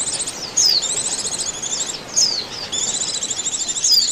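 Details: High-pitched Oriental white-eye chatter played as a lure for trapping: rapid twittering trills with bright descending whistles near the start, middle and end, several birds calling at once.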